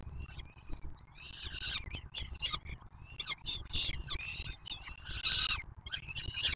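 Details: Peregrine falcon at a nest with chicks on the Museo de América in Madrid, around feeding, giving harsh wailing calls in rapid bursts, some notes rising and falling, over a steady low rumble of wind or city noise.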